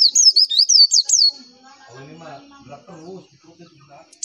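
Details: Brief burst of quick, high zigzag chirps from a Javan white-eye (pleci) in a tutoring lure recording, followed by low human speech.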